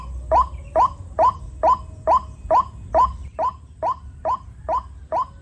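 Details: Rainy-season recording of a white-breasted waterhen with many chicks around: twelve clipped, upward-sliding notes delivered at an even, fast pace, each a brief bright syllable, over a faint low background hum.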